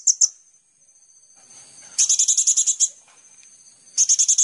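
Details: Kolibri ninja sunbird, master audio for training songbirds: two brief high notes, a quiet gap, then a quick burst of about ten piercing trilled notes and the start of another.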